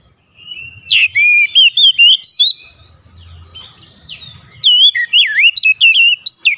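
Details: Oriental magpie-robin singing as a lure to trigger other magpie-robins: two bursts of bright, twisting whistles and quick chirps, separated by a quieter gap with a low rumble.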